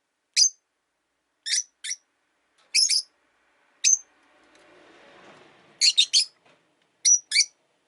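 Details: Three rosy-faced lovebirds share a window-side cage, the resident bird disliking the new arrival. They give scattered high chirps, singles and pairs, then a rapid triple, with a soft passing traffic rumble in the middle.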